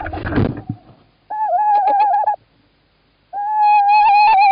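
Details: Male tawny owl calling in Estonia on 11 March 2017 while the female sits in the nest box; after a burst of rustling noise come two sustained, slightly wavering tonal calls with bright overtones.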